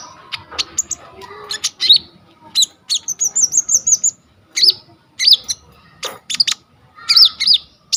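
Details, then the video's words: Coconut lorikeet in energetic varied song used to train kolibri ninja birds, phone recording: scattered sharp chirps, a trill of wavering high whistles, then looping whistled notes with harsh rasping calls between them. "KONIN GEACOR FULL ISIAN 99% COCOK BUAT MASTERAN KOLIBRI NINJA TROTOL/IJOAN"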